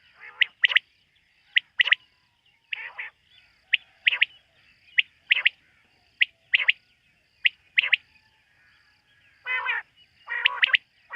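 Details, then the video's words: Quail calling at night: short, sharp chirped notes in tight clusters of two or three, repeated about every second over a quiet, still background with no other clear sounds. "Bater ki rat wali awaz ۔۔quail sound of night"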